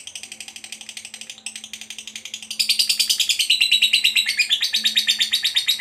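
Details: Chattering lovebird in the long ngekek manner, a quick pulsed high rattle that grows much louder halfway through and continues at a steady rapid pace, with a soft steady low hum behind.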